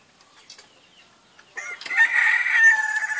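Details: Ayam ketawa crowing: after a quiet start with faint background sounds, a loud, harsh, somewhat wavering crow rises and continues to the end.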